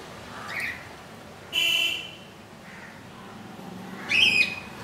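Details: Newly hatched budgerigar, two days old, tiny chick in its nest after hatching at 2 AM on 15 July 2018; two loud buzzy, rasping notes about two and a half seconds apart, with fainter chirps between.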